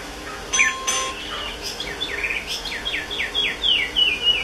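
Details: Chinese hwamei in song, a rapid series of ringing downslurred whistled notes repeated several times per second after a few sharper opening notes, with light background noise.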